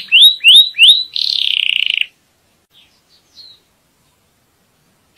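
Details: Canary song for teaching young and readying the female to breed: three rising whistled notes, a short buzzy trill, then silence with faint distant chirps.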